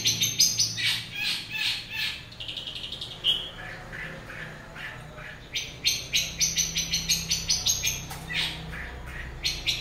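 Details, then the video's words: A long-tailed shrike's morning song of rapid staccato ticking notes, several warbled phrases, and then a quick rattling sequence of clipped high notes. "kicauan cendet dipagi hari"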